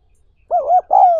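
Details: A single low, mellow spotted dove phrase, a short coo then a longer drawn-out falling note, from a recording used to train decoy doves and stir up newly caught wild birds.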